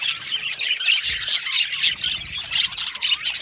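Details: Lively pet Australian budgies chirping rapidly, around four sharp squawky notes a second over a continuous high twittering chatter.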